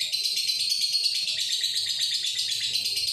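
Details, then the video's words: Breeding-condition male lovebird chattering nonstop, a fast, rattling run of sharp, squeaky, high notes at roughly three per second within a steady buzzy wash, captured on a Redmi 9C. "Birahi Bunyi - Jantan Durasi"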